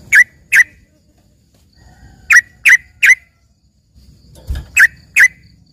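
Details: Yellow-vented bulbul of the isian type, compared to a gacor greater green leafbird: sharp bright chirps in groups of two and three with silent gaps and one dull low thump.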